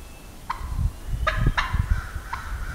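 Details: Morning gobbling of wild turkey in Wisconsin woodland; several short, rattling gobbles overlapping one another, perhaps more than one bird, with low thumping and rustling noise underneath.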